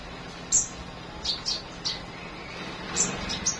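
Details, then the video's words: Morning flowerpecker: a scattered series of short, thin, very high ticking chirps spaced irregularly about half a second apart against a soft hiss. "Buổi Sáng Google Maps Hệ Thống Nghệ Thuật Đam Mê Chim Sâu Hót"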